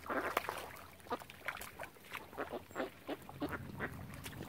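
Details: Ducks surrounding a family of swans on Lough Neagh, Oxford Island, Ireland, uttering coarse quacks in irregular bursts, a loud pair at the start, then steady calls with a low background hum.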